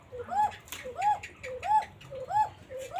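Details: Native Koka pigeon of the Banshiraj type, kept in Elamdohi, Tanore, Rajshahi, with a thin flute-like call. A steady series of arched coos, each a short rise and fall, repeats about every 0.7 seconds, with low background hum.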